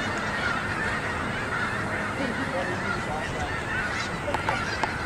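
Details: Migrating flock of snow geese gathered in a school yard, a dense, continuous chorus of overlapping honking calls from many birds at once, with no pauses and a steady roar across the whole stretch.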